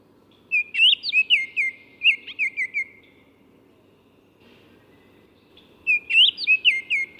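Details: Baltimore oriole (Icterus galbula) singing two bouts of rich, clear whistled notes, each phrase a quick run of five to seven slurred rising and falling whistles, separated by a few seconds of quiet, with faint background hiss.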